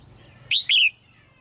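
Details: Caged female bird in morning song, giving a quick sharp chirp followed at once by a longer, slurred note that falls away.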